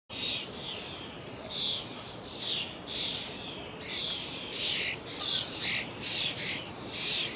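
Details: Young common starlings flocking in a horse chestnut tree at the Lido, calls carrying hundreds of yards: a dense, continuous chorus of harsh, buzzy chirps and squeaky whistles overlapping throughout, with bursts of louder screechy notes.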